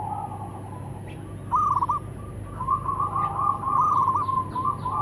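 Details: Local zebra doves calling and answering, male and female: softer, more distant-sounding bubbly coo phrases, one short burst and then a longer run of rapid repeated notes over a low background hum.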